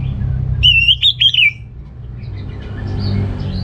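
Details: Orange-headed thrush singing to prompt males lacking breeding drive: a short wavering whistled phrase of about four linked notes, then quiet with low background hum.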